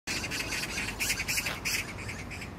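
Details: Magpie calling in Jangdumot neighbourhood park, Gyeyang-gu, Incheon, South Korea, on June 19, 2022: a fast run of harsh, rasping chak notes, evenly spaced, over a steady low outdoor hum.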